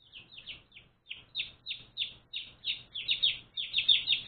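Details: One-day-old baby chicks kept as new pets, peeping in a run of short, high, downward-slurred chirps about three per second, with a brief pause after the first second and growing louder toward the end.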